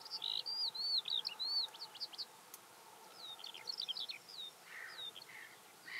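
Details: A skylark in song near Hundred End, Lancashire, 12 May 2017, pouring out fast high chirps and looping whistled slurs in bursts, with a brief softer patch before the rapid warbling resumes.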